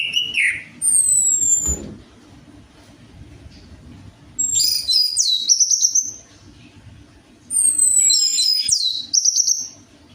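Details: Orange-headed thrush song played as a lure to coax a reluctant bird into singing: bursts of high, sweet whistled and sliding notes, some descending, in phrases about two seconds long separated by pauses, with a faint low hum beneath.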